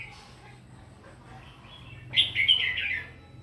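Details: Red-whiskered bulbul, morning fighting song for voice training: faint chirps over a low hum, then a loud, rapid warbled phrase of bright whistles lasting nearly a second.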